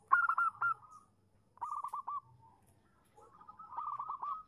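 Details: A female zebra dove calls for a male, lure recording: three bursts of rapid, clipped cooing notes, each run ending in a sustained note, with silent gaps between phrases.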